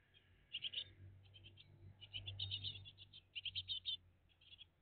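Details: Nesting great tit family on a June 2023 morning: scattered groups of high, raspy chirps, several runs of rapid notes, set against a constant low humming background.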